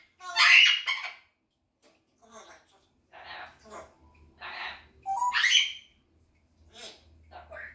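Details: Red-tailed African grey parrot aged 20 months, a household pet, talking: a loud squawky whistled opening, then several shorter speech-like utterances and a bright rising phrase, with quiet gaps and a faint low hum.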